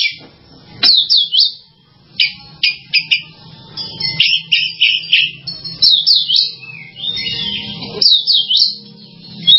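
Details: Oriental magpie-robin song: bright, clear whistled notes in quick clusters, many rising then falling, delivered in bursts every second or so with short gaps, over a faint low hum.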